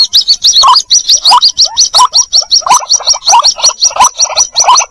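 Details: White-breasted waterhen; chick call; chick calling its mother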